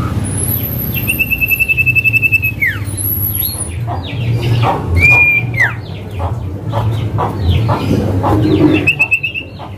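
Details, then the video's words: Male common iora (cipoh) 'calling name' as a lure to start a silent bird: pulsed trills ending in falling slides, with a very high thin whistle above, scattered down-slurred notes, and a loud low background rumble. "Cipoh Manggil Nama"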